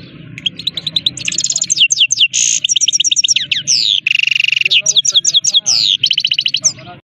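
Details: Himalayan goldfinch, known as saira, singing a sustained, varied medley of rapid chirps, buzzy drawn notes and tinkling trills for about seven seconds, with a low hum underneath.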